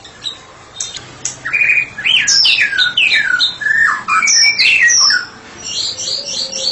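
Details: Singing white-rumped shama, a therapy-specialist bird in loose full song: a quiet start, then a rich run of falling whistled slurs and rising sweeps, ending in repeated high trilled notes.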